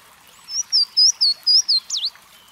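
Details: Louisiana waterthrush, a bird of bubbling brooks and streams, singing: a series of clear, slurred whistled notes sliding downward, about five in a row, then a quick twittering jumble at the end.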